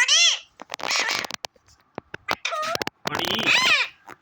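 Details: Pet parrot in the morning, in a happy mood, talking in its natural voice: harsh, harmonic squawks open and close the passage, with broken chattering syllables between them.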